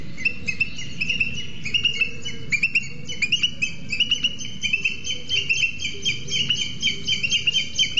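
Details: A pair of booted eagles at a nest with two eggs in a Scots pine, Sierra de Guadarrama National Park, call loudly as the male arrives with a lizard for the incubating female: shrill, high, rapid chattering over low wind rumble.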